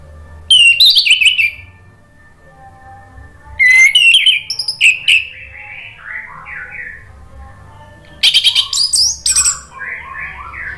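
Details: Lure recording of orange-headed thrush song: loud, bright bursts of fast varied whistles and sharp notes come every few seconds, while a softer, lower bird sings short warbling phrases in the gaps.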